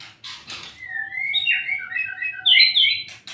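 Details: White-rumped shama in full song: a long run of rich whistled notes sliding up and down, ending in a loud bright flourish, with a faint steady low tone underneath.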